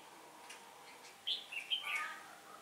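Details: Trapping decoy red-whiskered bulbul, windy day, 15 October 2017, singing competitively to attract wild birds: after a quiet start, a clear run of four or five warbled, whistled notes dropping in pitch, over faint background hiss.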